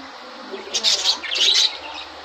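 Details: Breeding-season budgies, red-eyed, yellow and sky-blue birds laying eggs, let out two short clusters of bright, scratchy chirps in the middle of a quiet background.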